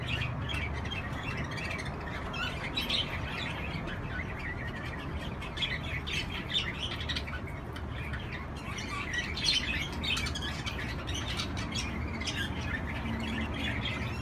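Budgerigars chatter with busy, scratchy chirps and warbles over a steady low hum.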